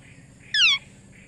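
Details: Pet parrot giving a single short harsh call with a downward-bending tone and strong layered overtones, lasting about a quarter second against a quiet background.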